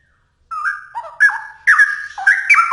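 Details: Straw-headed bulbul song used for training songbirds: a clear, loud, bubbling run of whistled notes, some swooping down, others jumping up, delivered in three quick bursts.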